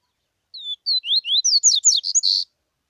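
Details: Coleiro (double-collared seedeater) singing the tuica style of song from Bahia, Brazil: about two seconds of high, clear whistled slurs rising and falling, speeding into quick chattered notes and ending on a dense buzzy note, with no other sounds.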